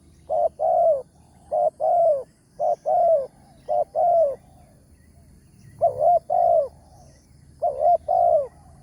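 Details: A wild spotted dove, big-voiced in 'tarik akar' style, lured with a decoy in the morning; a rapid series of paired and tripled low coos, each pair ending in a longer downslurred note, several phrases in quick succession.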